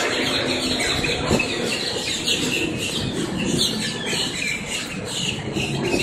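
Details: A dense flock of blackbirds in Miami, Florida gives harsh, overlapping squawks and squeals without pause, over a low hum of distant traffic.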